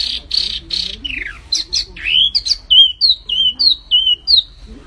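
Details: Flamboyan bird giving buzzy notes and swooping whistles, then a steady series of short falling whistles about twice a second, with soft low sounds beneath.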